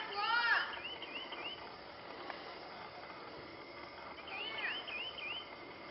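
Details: Lemon-chested greenlet (Hylophilus thoracicus) song: two bursts of quick, slurred whistled notes, each a rapid rising-and-falling series, against a steady background hiss.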